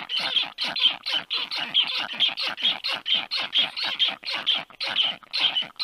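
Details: Nestling black storks call loudly beneath a strange stork that has landed above the nest, 1:30 p.m., 4 July 2022; evenly spaced, hoarse hissing screams come at just over two per second.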